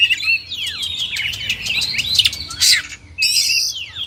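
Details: Oriental magpie-robin (kacer) singing falling slurred whistles and short chips, then a loud harsh burst and a long high buzzy note.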